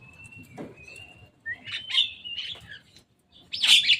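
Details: Javan myna visiting on top of a cage: a thin, steady whistle held for about a second, then harsh, rasping bursts of chatter, with a final loud scratchy outburst at the end.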